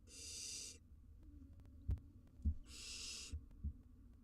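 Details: Wild barn owl nestlings grooming each other in a nest box, giving two long, loud, breathy hissing bursts about two seconds apart, with soft low thumps and rustling between.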